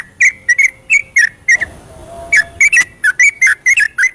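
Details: Yellow-vented bulbul night song in the ropelan style, played to stimulate birds that sing little. Quick bubbling whistles in pairs, interrupted midway by a short stretch of soft rushing noise before the notes resume.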